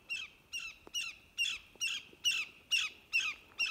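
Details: Greater Yellowlegs in flight gives an alarm call: a run of loud, ringing, downslurred 'tew' notes, about two to three each second, clear and high-pitched over a quiet background.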